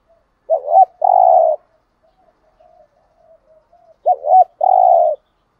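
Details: Vietnamese spotted dove decoy bird from Dak Lak, kept to lure rival males, gives two coo phrases about three and a half seconds apart, each a quick double note then a long mellow coo, with soft murmurs between.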